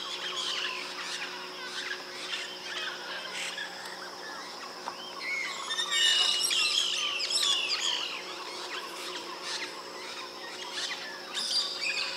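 White-bellied parrots give shrill, squeaky chattering calls in busy bursts, loudest around the middle, over a steady background hum.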